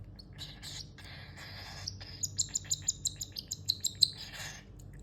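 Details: A young pet cockatiel, aged between one and five months, gives a run of short, high chirps repeated about three times a second.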